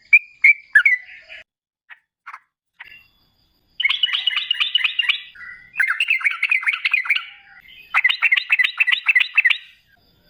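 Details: Trucukan gacor, a sooty-headed bulbul singing long ropel phrases used as a lure for other bulbuls; a few scattered notes, then three fast bursts of rolling chatter.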